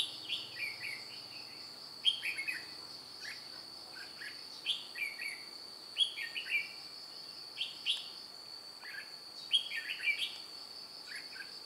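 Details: A red-whiskered bulbul decoy with white cheeks, flicking wings and tail during a trapping session on 2 July 2018, repeats bright, bubbly whistled phrases roughly every one to two seconds over a steady high-pitched insect drone.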